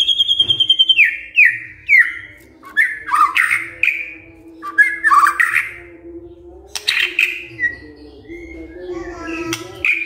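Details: White-rumped shama giving a high whistle run, then harsh squawking notes and scratchy phrases, with a steady low hum throughout.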